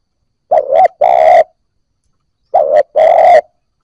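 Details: Spotted dove coo meant to prompt newly caught doves to start cooing: two strong, rough-toned phrases of a brief wobbling note and a longer level coo, about two seconds apart, with a third phrase just beginning. Quiet background.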